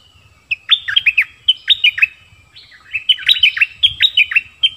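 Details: Merbah lekir bulbul singing two bursts of bright whistled phrases, each note dropping sharply in pitch, separated by a brief pause, with faint low rumbling underneath.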